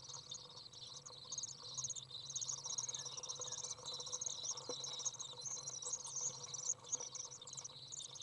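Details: Out-of-nest Common Swift young on a 30 °C day, 27 June 2011, as a parent comes to feed them; constant high, buzzing twitter, thick and unbroken, over a soft low hum.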